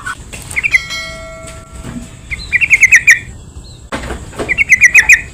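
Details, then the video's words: Yellow-vented bulbul song used as a lure to provoke other bulbuls into singing: short bubbly phrases of quick, warbled notes repeated after pauses, with a few faint steady tones in the background. "PANCINGAN BURUNG TRUCUKAN , SEMUA TRUCUK PASTI IKUT BUNYI"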